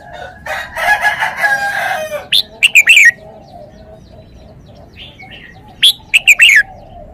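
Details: Red-whiskered bulbul singing two lively whistled phrases of quick notes ending in falling slurs, about three seconds apart, after a harsh, buzzy, drawn-out sound at the start.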